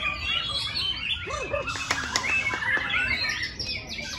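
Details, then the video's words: A white-rumped shama at a song competition, in its first minute, brings out its repertoire: a rich, rapid medley of looping whistles, sharp chips and borrowed phrases, with other birds chirping and twittering all around. "Murai Batu Keluar Isian"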